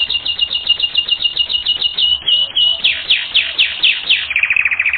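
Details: Canary training recording of continuous song: a fast regular series of short high notes, a brief buzzy roll, then repeated descending sweeps and a closing rapid trill.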